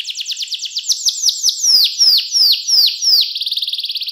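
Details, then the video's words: Canary song in the ornate 'cengkok mewah' style, clear-toned, meant as a tutor for young canaries: a series of quick descending swept notes, slowing into longer drooping slurs, ending in a fast rattling trill. "KENARI CENGKOK MEWAH SUARA JERNIH, COCOK BUAT MASTERAN KENARI PAUD BELAJAR BUNYI"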